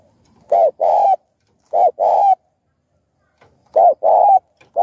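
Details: Spotted dove cooing, in a recording meant to stimulate other doves to call, with thúc, gù and gáy gọi styles: loud, mellow coo phrases of a short note and a longer one, repeated about every 1.5 seconds over a quiet background.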